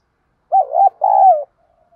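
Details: Part of a spotted dove's 'thúc' contest coo: a short stuttered note followed by a long throbbing coo that slides down at its end, then a faint fading murmur.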